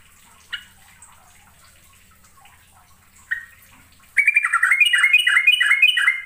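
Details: Yellow-vented bulbul (trucukan) from East Java, lure song with long rolls: two isolated chips, then a loud bubbling burst of rapid warbled notes rising and falling for two seconds.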